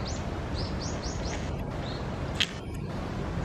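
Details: Japanese bush warbler recorded in the wild along the Tsurumi River: a quick run of about seven short, high, arched chirps over the first two seconds, then a sharp click, over a steady low rumble of distant traffic.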